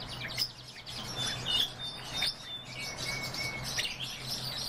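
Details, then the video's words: Breeding pair of pine grosbeaks calling: thin, clear, level whistles, a high drawn-out note near the middle followed by a slightly lower, longer whistle, with soft chirps scattered around and a steady low hum beneath. "Pinicola enucleator-ЩУРЫ"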